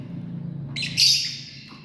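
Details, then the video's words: A single loud, harsh, rasping squawk from a lovebird family group, rising abruptly and tailing off, set against a low steady hum. "Love Birds 🔴 Sounds | Live - Family"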